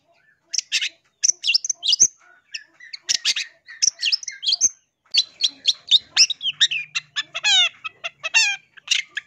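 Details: Long-tailed shrike song intended for luring wild birds: varied scratchy chatter and sharp high notes, later fast trilled descending phrases and rapid clicks, continuous and loud.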